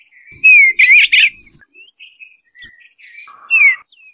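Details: Eastern bluebird singing: soft warbled phrases around a mid-high pitch, a bright downslurred whistle, then a quieter burbling stretch and another falling whistle near the end.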